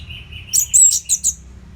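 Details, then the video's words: Orange-headed thrush tutor song from Singaraja, Bali, meant to keep fighter birds fit: a soft, low warbling lead-in followed by four or five sharp, very high chirps in quick succession. "COBA SUARA MASTERAN ANIS MERAH GACOR RAPET NO JEDA INI UNTUK MELATIH FIGTHER BURUNG AGAR SELALU FIT."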